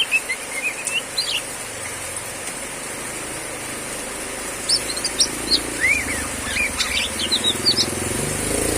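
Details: Oriental magpie-robin hen singing while heavy rain falls, with a faint low rumble in the background. Thin whistled notes come early, then a denser run of sharp, rising and falling chirps toward the end.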